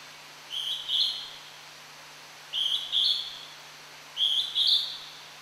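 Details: Wild Hodgson's hawk-cuckoo at Tomin-no-Mori, Tokyo, singing from hiding: three shrill two-note whistles, each phrase stepping upward, spaced about every two seconds over a steady faint hum.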